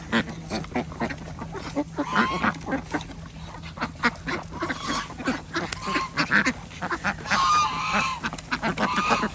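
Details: Farm ducks at feeding time at a village organic duck farm in Andhra Pradesh, kept with chickens and geese, giving repeated harsh nasal calls in bursts over a busy, noisy background with a constant low hum.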